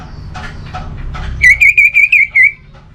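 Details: Orange-headed thrush whistles used to encourage quiet birds to sing: a few soft scratchy notes, then six loud, clear, slightly wavering whistled notes in rapid succession, with low background rumble.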